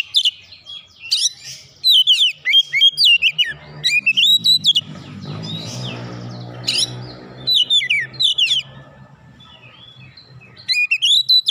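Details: Oriental magpie-robin in heated full song, beak open, showing off its repertoire: repeated bursts of quick whistled, sweeping notes, broken midway by a noisy rustling stretch, then more phrases.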